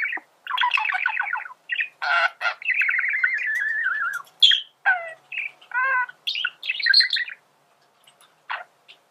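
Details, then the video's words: Male budgerigar singing as a lesson for other birds: a busy run of trills, clicks, rasping buzzes and squeaky notes, fading to sparse ticks in the last seconds. "فيديو ممتع لتغريد ذكر بادجي"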